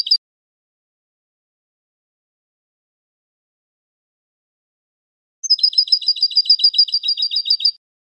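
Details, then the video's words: European goldfinch singing: a brief note fragment at the start, then a long silence before a fast two-second run of high, sharp, doubled notes repeated evenly after a thin opening whistle; no other sounds. "El Canto de un Jilguero"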